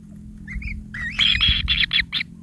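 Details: Hungry kingfisher nestlings, pin feathers starting to grow, give a couple of soft squeaks, then a rising whine and several loud harsh squawking bursts over low background rumble.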